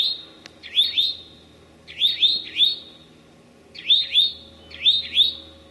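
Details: Eastern towhee recorded late morning on May 25, 2011, in Massachusetts forest at Sudbury's Memorial Forest or Marlborough's Desert Natural Area. Ringing two- and three-note groups of high slurred notes, each group separated by about a second of quiet.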